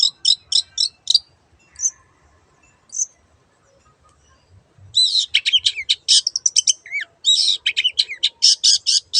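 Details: Long-tailed shrike in full voice: a quick series of high chips, two isolated squeaky notes after a pause, then a dense stream of varied chattering and whistled high notes.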